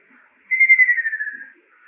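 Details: Song of a male Ruddy kingfisher: a clear, fast-pulsed whistled trill falling slightly in pitch and weakening toward its tail, about one second long, over near silence.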